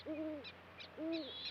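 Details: An adult Great Horned Owl at a plover and tern nesting site on the Central Platte River, Nebraska, during a predation event, calls a juvenile over to the nest. Two low, steady hoots come about a second apart, with thin, high tern and plover alarm calls behind.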